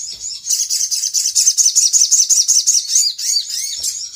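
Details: A 'gacor konslet' lure chatter from a sooty-headed bulbul, meant to provoke other birds into answering. Rapid, high, rhythmic chirping runs almost unbroken, each note looping downward, close to three notes a second. Background is clean.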